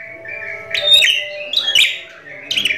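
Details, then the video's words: Javan myna singing a varied run of whistled and harsh phrases, with bursts of squeaky notes roughly every second over a steady tonal whistle; its song is so unusual people thought it was edited. "JALAK KEBO BERSUARA ANEH ?!! DIKIRA EDITAN !!! Jalak Kebo Gacor Full Isian"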